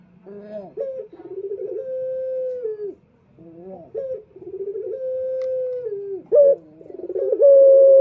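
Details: Quieter cooing of a male puter (Barbary dove) meant to attract males: hesitant pulsed starts running into long smooth coos with falling endings, and a loud clipped note near the close.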